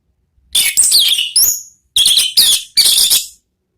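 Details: Orange-headed thrush (anis merah) lure song for kept birds; four loud bursts of rich, tumbling high whistles and slurred notes, each under a second, with brief gaps between them.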